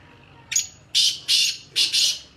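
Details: Black francolin of the Sindhi type calling: one short rasping note, then two pairs of loud, harsh, grating bursts, each about a quarter second long, delivered over two seconds against a quiet background.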